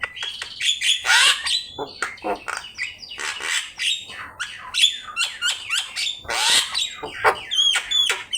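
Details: Javan myna in vigorous song on a master recording for training other birds: loud harsh chattering squawks alternate with short whistled upslurs, repeated in dense phrases over eight seconds.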